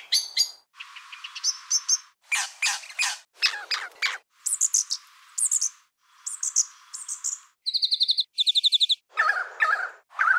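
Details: A brown thornbill in a botanic garden runs through a quick medley of mimicked hawk alarm calls of other species, used to deceive predators attacking its nest: sharp chirps, buzzy bursts and rapid high trills with brief pauses.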